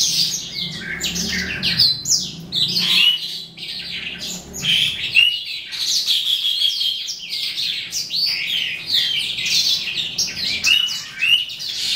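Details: Rich, hurried song of the eastern calandra lark, race psammochroa, sung toward the end of the day: unbroken strings of sharp chirps, rattles and clear rising whistles, barely pausing.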